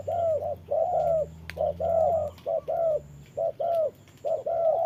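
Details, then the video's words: Spotted dove used as a decoy in trapping, sparring with a wild bird in the rain: loud, repeated hollow cooing notes in short groups, about one per second, with a low steady hum underneath. "Bẫy chim cu gáy mồi đấu cùng bổi trời mưa"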